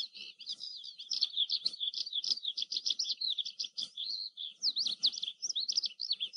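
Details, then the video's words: An Oriental skylark sings a fast, continuous stream of high twittering and buzzy notes with quick trills and slurred whistles, briefly pausing before resuming. "Oriental skylark call | Oriental Skylark Song"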